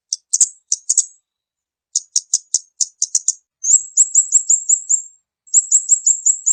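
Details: Lure call of a kamade bird, very high and thin: scattered sharp chips and paired ticks give way to fast, even runs of downslurred tweets, about seven per run, separated by brief silences.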